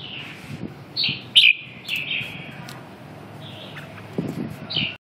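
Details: Red-whiskered bulbul giving a series of clear whistled phrases, bright and slightly descending, separated by short pauses, with a quick sharp note early on and a low murmur underneath.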